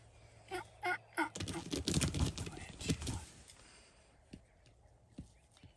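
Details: Three wild turkey gobblers in full strut attack decoys, gobbling in a loud, rapid, rattling burst, with a few sharp notes first and scattered thumps and rustling after.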